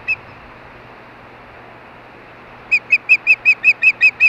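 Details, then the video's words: Osprey calling at the Hellgate nest in Montana during evening mating activity; one lone high chirp, silence, then a quick even series of nine loud, piercing whistled yelps. "Hellgate Ospreys_More Mating"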